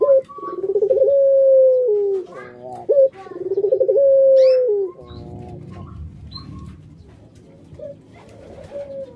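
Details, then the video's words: Pelung-type cooing from a pet puter dove: two rolling phrases each stretching into a long level note, then a short yelp, followed by rustling and fainter scattered coos. "Puter Pelung"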